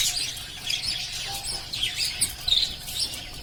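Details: High, quick chirps and thin squeaky tweets from pet lovebirds come in overlapping clusters, forming a lively chatter with brief louder peaks in the second half.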